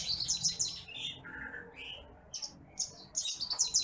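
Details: Bush lark, locally called titimplik, a rice-field bird, singing for a masteran recording used to train other birds: high, fine, sweet twittering phrases with quick chirps and short slurred notes, separated by brief pauses.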